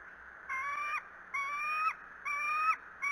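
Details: Wild bald eagles at the Decorah nest on 21 April 2018, a parent feeding its chicks: three drawn-out, whining notes, each about half a second long and slightly rising, spaced roughly a second apart over quiet background.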